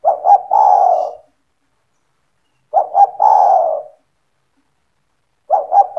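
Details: Owner's spotted dove (tekukur) calling vigorously to lure other doves to join in: low, soft coos, two quick clipped notes leading into a long wavering hoot, phrases spaced about 2.7 seconds apart, a third beginning at the end.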